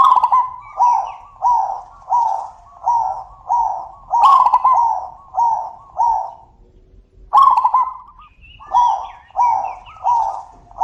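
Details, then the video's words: Loud zebra dove calls in a back-and-forth exchange: a steady run of short, rolling mid-pitched coos repeated under a second apart, broken by two harsher, louder bursts and a brief pause, with faint higher chirps above. "suara panggilan burung perkutut - saut sautan - suara besar"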